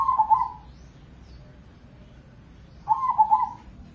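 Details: Zebra dove, crossbred contest bird, sung as a lure for other doves. Two bubbling, low-pitched rolling coo phrases are heard, one at the start and one near the end, with a quiet gap between.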